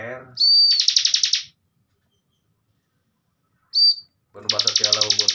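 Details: Bar-winged prinia kept as a master bird for training young cage birds: a thin steady whistle leading into a rapid buzzy trill, a pause, another short whistle, then a second trill starting.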